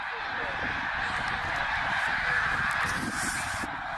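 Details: Tens of thousands of snow geese on migration at Middle Creek, Pennsylvania, 2023, calling en masse; steady, dense roar of high-pitched honks and yelps without pause.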